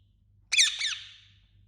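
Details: Indian ringneck parakeet giving one loud, harsh squawk, its notes sliding downward before a drawn-out fading tail; nothing else heard over a quiet low hum.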